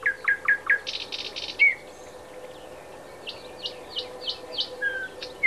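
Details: Thrush nightingale (Luscinia luscinia) singing at Háj, Turčianske Teplice, Slovakia: four quick clipped notes, a loud dry rattle, then a sharp whistle and scattered chirps, over a steady low hum.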